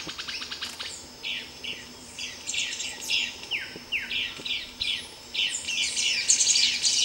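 Streaked Flycatcher giving sharp, squeaky calls with short downward slurs, several a second, over a busy wash of other high chirps and thin buzzing.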